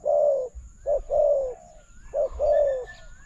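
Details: Spotted dove calling to a decoy during bird trapping at a newly opened trap enclosure; low hollow coos, each a short note followed by a longer falling one, repeated in pairs, with faint higher chirps from other birds.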